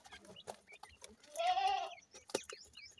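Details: Grey francolin pair with chicks while the chicks are fed: one drawn-out, harmonic mid-pitched call amid short thin high chirps and scattered clicks and taps.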